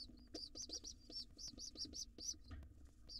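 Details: Wild pigeon nestling in a nest box, arriving late to breakfast with its father: rapid, thin, high squeaks repeated several times a second, with soft tapping and scuffling underneath.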